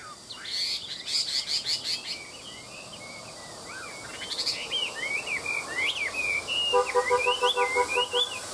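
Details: Caged hwamei singing at midday: varied whistled, warbling phrases with rapid rising and falling slides, interrupted by short bursts of sharp clicking notes and a brief rapid pulsed rattle near the end.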